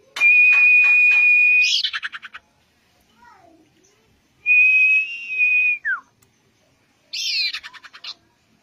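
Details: Common iora song used to coax a bird into singing: long level high whistles, one closing with a buzzy rattle and another with a steep downslur, then a final buzzy trill.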